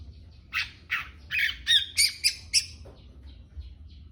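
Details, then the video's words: Long-tailed shrike giving a series of about eight harsh, scratchy squawks over two seconds, each a short broadband burst, later notes sharper with thin whistled edges, then a faint final note; soft low rumble underneath. "Trotol cendet mh calon jahatt"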